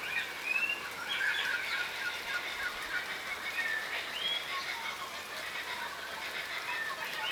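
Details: Yellow rosellas (Platycercus elegans flaveolus), a crimson rosella subspecies, feeding on the ground give soft, scattered whistles and short chattering notes, some sliding up or down in pitch, over a steady hiss of outdoor background noise.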